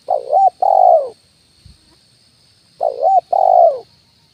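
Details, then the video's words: Decoy cooing of a spotted dove, "kuk 1" style, played to draw wild birds down to perches and the ground: two mellow two-part coos, a wobbling short note before a drawn-out falling one, a faint thump between, high insect hum behind. "SUARA PANCINGAN BURUNG TEKUKUR,KUK 1 DI RANTING &TANAH"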